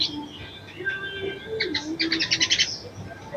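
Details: Female sogon giving a call meant to arouse a male: soft wavering notes at first, then a short, fast series of bright chirps near the end.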